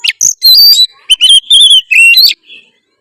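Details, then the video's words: Oriental magpie-robin (kacer) singing vigorously in 'gacor' style: dense run of loud, ringing whistles and chattering notes in quick succession, ending with a faint soft trill. "kacer apasana pasti respon denger suara kacer gacor satu ini"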